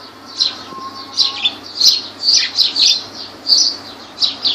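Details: Lovebirds recorded at Laylan in Kirkuk, Iraq, giving a series of shrill, slightly buzzy chirps in irregular pairs and triplets over a faint electrical hum.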